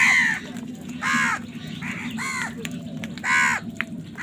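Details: Crows fighting over food, giving loud harsh caws: three strong broad cries near the start, middle and end, with fainter caws between and a steady low hum underneath.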